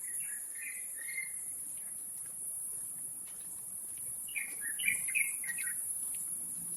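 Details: Taiwan Blue Magpies tending young, wild birds in Taipei Zoo, Taipei, 7 May 2022, 11:43; two short bursts of rapid chirping notes, one at the start and one near the end, over a persistent high insect drone.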